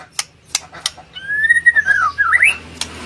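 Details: White-rumped shama, a master song played to prompt other birds to sing: a few sharp clicks, then one long whistled phrase that slides upward, dips and ends in a quick rising flourish.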